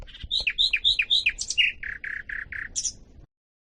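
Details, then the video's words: Nightingale phrases chosen to teach canaries: bright, sweeping whistled notes repeated in quick succession, then a row of lower, full, evenly spaced notes, closed by a high buzzy flourish. "لغة عندليب الواحة لتلقين الكناري والطيور المغردة #٣ - Nightingale singing to teach Canary #3"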